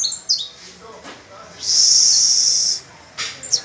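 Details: Caged canary tutoring young birds on the first of May; a couple of quick high notes, then a single loud, steady rolling trill lasting about a second, with a short chip at the end.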